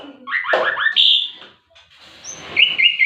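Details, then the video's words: Young Javan pied starling singing: harsh, scratchy, mixed notes, a bright whistled note, a short pause, then soft chatter and a string of quick high whistles. "Ngetrek jalak muda"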